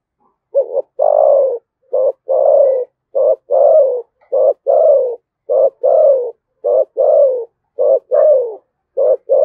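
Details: Spotted dove from Đồng Nai, Vietnam, in the 'thổ sấm' voice with 'thúc gù' cooing. A steady run of paired coos, a short clipped note then a longer mellow falling coo, about eight pairs in under ten seconds, with quiet background.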